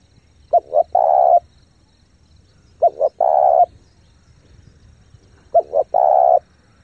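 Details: Lure spotted dove cooing rapidly and powerfully to entice wild doves; three phrases of two clipped notes plus a long coo, spaced about every two and a half seconds, over light low background noise.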